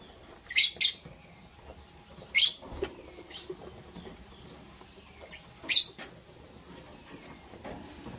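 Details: Green and blue lovebirds readying for egg laying give loud, shrill chirps on a morning. A quick double note opens, then single sharp calls follow, with quieter twitters and light tapping between them.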